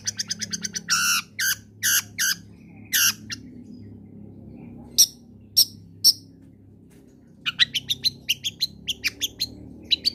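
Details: Long-tailed shrike combination song used as a lure to get reluctant shrikes to sing: a quick trill, then harsh buzzy notes, a few isolated sharp whistles, and a closing series of rapid high chips over a low background hum.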